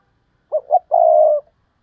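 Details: Spotted dove cooing in the Vietnamese 'gáy thúc' and 'gáy gọi' styles. Two quick soft coos are followed by one long, steady, purring coo of about half a second in otherwise silent surroundings.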